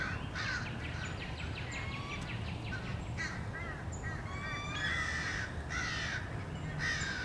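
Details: Many American crows mobbing a male bald eagle returning to its nest, March 30, 2016: harsh, repeated caws in ragged bursts, with thin high chittering notes between them and a steady low rumble of background noise.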